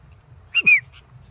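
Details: Sooty-headed bulbul in a rice field giving a quick whistled phrase: a short clear note, a longer slurred whistle falling away, and a faint final note, over a low hum.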